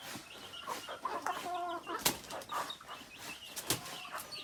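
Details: Rooster, hen and other native chickens calling in a flock: scattered clucks, a brief harmonic cackle in the middle, and two loud sharp bursts that may be wing flaps.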